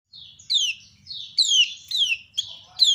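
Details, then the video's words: Female common iora (kecial kuning, also called pleci lombok) calling, with other ioras answering: loud, sharp downward-sweeping chirps repeated about every half second, some overlapping, in a quiet setting. "Ciak Betina Burung Kecial Kuning Memancing Bunyi Banyak Kecial lain Nyaut"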